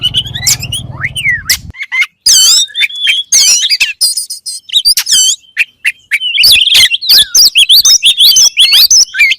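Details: Kacer, the oriental magpie-robin, singing a varied voice said to make other kacer perform immediately; opens over a low hum, then sharp whistles, scratchy notes and fast twittering bursts.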